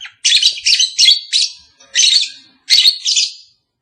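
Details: Lovebird calls used to coax a caged pair into mating: loud rapid series of harsh, raspy high chirps, closely packed notes in three bursts over a few seconds.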